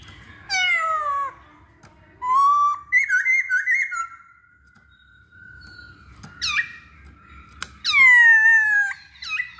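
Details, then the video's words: Masked laughingthrush song used as a lure to get other birds to sing: loud descending whistles with rich harmonics, a burst of wavering warbled notes, then a long level tone and a sharp falling squeal, with pauses between phrases. "Pancingan Poksay Hongkong"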